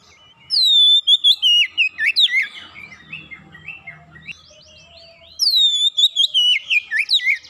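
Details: Song of an Oriental magpie-robin, played as a lure to make birds sing: two loud runs of bright, sliding whistles, with softer warbled notes and a faint low hum in the middle.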